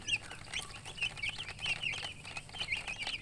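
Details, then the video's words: Several chicken chicks peeping: rapid, thin, high chirps overlapping continuously, faint and steady throughout. "Baby "Chicks Chirping" Sound"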